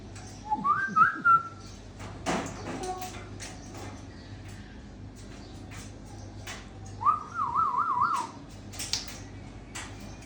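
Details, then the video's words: African grey parrot in Sukkur, described as mating; two short whistled phrases, the first rising then wavering, the second a rapid warbling trill around seven seconds, with clicks and room noise between. "Mashallah parrot sukkur"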